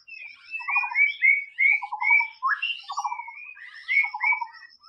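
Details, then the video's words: White-rumped shama singing in the wild: varied whistled and slurred phrases around mid-high pitch, mixed with low rattling trills of rapid pulses, over a steady thin high tone. "SUARA BURUNG MURAI BATU SUARA ASLI DI ALAM BEBAS"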